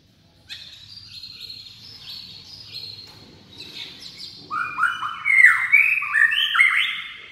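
A white-rumped shama sings a rich, varied song: a thin, high warble builds into loud, fluid whistled phrases with quick upward sweeps. Faint background hum.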